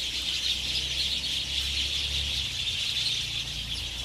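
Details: Many house sparrows chattering as they settle to roost at dusk, Ngahinapouri, Waikato, New Zealand, late summer 2021, recorded with a Zoom H5 and clip-on omni mics: loud, unbroken high chirping chorus over a faint low rumble.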